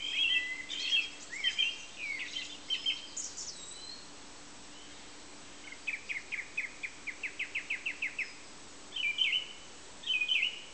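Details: A song thrush repeats a short whistled phrase three times, then gives a rapid series of about ten clipped notes, followed by a further repeated pair of phrases; faint steady hum beneath.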